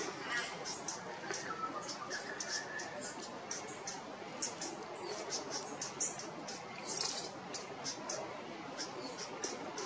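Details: Two Pink robins at Geelong Gardens trade dry, high ticks, several each second in uneven bursts, over a soft background murmur that may include distant voices.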